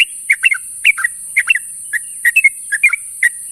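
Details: Sooty-headed bulbul calling to its companions in the morning, with clustered bubbly chirps in small groups of two or three, separated by brief gaps, over a steady thin hiss.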